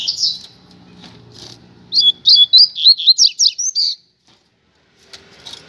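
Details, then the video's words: Rusty-collared seedeater pair on the street. One bird sings a bright, rapid string of up-and-down slurred notes for about two seconds. Soft low murmur earlier, then a quiet gap. "Casal de Coleiro na Rua - Muita Fibra e Canto!!!"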